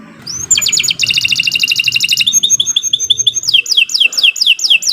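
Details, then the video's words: Canary, called Kenari, in long continuous song meant as a master for training birds: a quick rising note, dense rapid trills, a thin sustained whistle, then repeated descending slurred phrases. "Kicau Burung Kenari 123 II LUAR BIASA GACOR PANJANG Cocok untuk Masteran"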